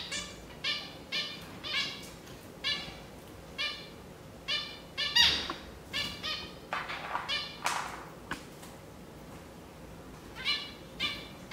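Zebra finches give short, nasal, buzzy calls like tiny toy horns, repeated in quick bursts.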